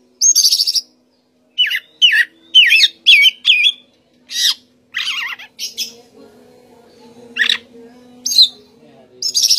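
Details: Oriental magpie-robin (kacer) with loud whistled and warbled song phrases in quick succession, then sparser high notes, with a soft humming background rising partway through.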